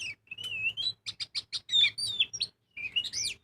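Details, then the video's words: Magpie-robin singing in full, lively voice, used as a lure to make birds sing: a sustained rising whistle, then a rapid run of short bright notes and slurred whistles, a brief pause, and a final twisting phrase; faint low hum beneath. "Pancingan burung kacer gacor full ngobra"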